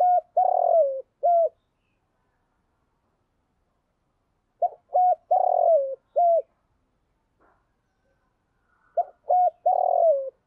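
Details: Decoy spotted dove cooing to lure and provoke wild doves: low, mellow phrases of short coos around one longer, slurred middle note, repeated about every four and a half seconds, with quiet pauses between and no other sounds.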